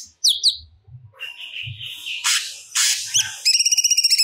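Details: Grey-cheeked bulbul singing actively with stored song material: two sharp descending whistles, a buzzy drawn-out note, harsh bursts, and a closing rapid trill.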